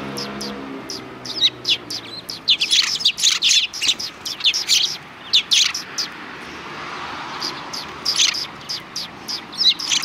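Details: Several sparrows chirping on a road near a Tenmangu shrine on December 13, 2019; rapid high chirps come in busy clusters with short pauses, over a soft low rumble early on.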